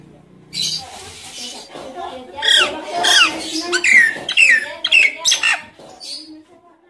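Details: Nias hill myna lure call, played to stimulate silent mynas to sing: loud descending whistles and harsh harmonic notes in a rapid, irregular series over a faint background hum.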